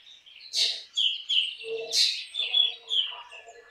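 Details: Black drongo giving two loud harsh rasping bursts, each followed by bright whistled notes near four kilohertz, with lower mellow undertones beneath.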